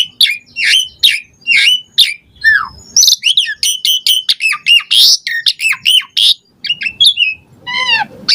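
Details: Vocal Asian pied starling singing a richly varied song used to prompt caged birds: dense run of harsh squawks, chirps and sharp whistled notes, nearly continuous, changing note shape every half second.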